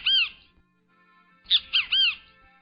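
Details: Great Kiskadee call: a single loud, arched note, then after a pause a bright three-part 'kis-ka-dee' of strong, slurred syllables, the bird saying its own name.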